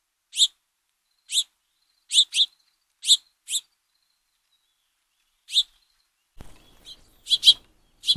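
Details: House finch fledglings of the year's first brood begging for food from the male, trail camera: spaced single and paired high chirps, a sharp knock-like noise, then faster chirping at the end.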